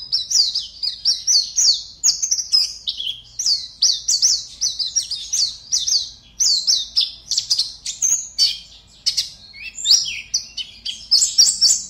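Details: A captive Oriental white-eye entered in an online song contest, from Pontianak, West Kalimantan, sings a rapid, continuous stream of high, sweet chirps and twittering phrases, pausing only briefly between bursts.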